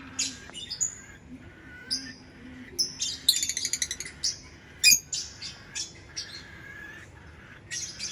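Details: Lovebird chirping: varied high shrill chirps, a fast rattling run of clicky notes midway, then sharp squeaks and softer chirps.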